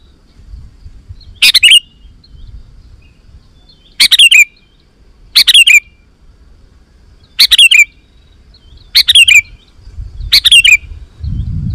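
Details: Sooty-headed bulbul calling to wild bulbuls: six short, bright phrases of rapid chirped notes spaced one to two seconds apart, over steady low background rumble that swells at the end.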